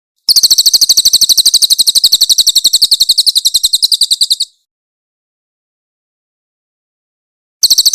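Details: Cililin, the grey-headed canary-flycatcher, giving a clear, harsh 'tembakan' burst used to train magpie-robins: a dense, fast series of piercing high chirps for about four seconds, silence, then the chatter starts again.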